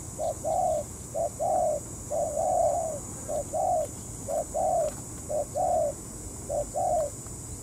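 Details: Spotted dove ground decoy in a trap, calling to draw a wary wild dove into a territorial fight: soft, low cooing phrases in groups of two or three, repeated steadily with short gaps, over faint background hiss.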